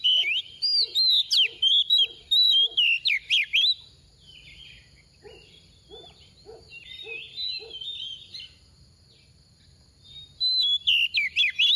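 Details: Soft-voiced female oriental magpie-robin decoy singing 'tìu tíu tiu' to excite males: bursts of rapid high slurred whistles at the start and end, a quieter gap between, and soft low pulsed notes repeating throughout.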